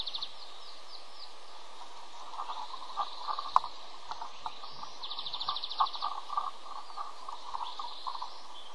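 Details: Two osprey chicks at the nest charge and grab when the father delivers a small fish before feeding them; thin high chirps, then a fast buzzy run of notes, with constant background hiss.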